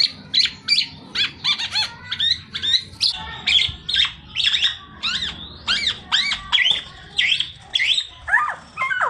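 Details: Black-naped oriole in full, energetic song: a steady run of harsh, squawky, downslurred notes, about two per second, with short gaps between them. A soft low hum sits underneath throughout.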